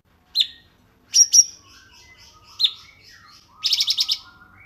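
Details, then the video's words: Cungkok song recorded as training material for cage songbirds, isian style: sharp high whistled notes singly and doubled, separated by gaps, ending in a quick run of five or six buzzy trilled notes. "CUNGKOK RAPAT JEDA"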